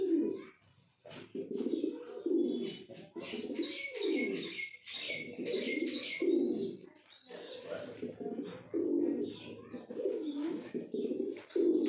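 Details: Pigeons, reportedly a male calling, coo in low, throaty, rolling phrases that repeat every second or two, with faint higher chirps from small birds in the background.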